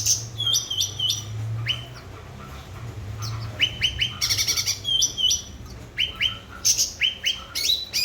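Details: Cucak ranting, a grey-bellied bulbul singing energetically, played as a lure to get silent birds singing again: bursts of sharp, upward-flicking chirps and bright metallic notes, with a low steady hum beneath.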